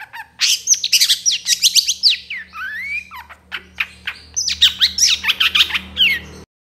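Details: Long-tailed shrike in trotol style from a training track for birds: loud rapid chirps and harsh squawky notes with looping whistled slides, over a low steady hum.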